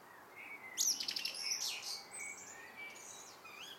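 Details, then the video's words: Common blackbird in evening song, opening with a sudden high, rattling twitter of rapid strokes, then softer, thin whistled notes fading away over gentle background noise. "Abendgruß einer Amsel"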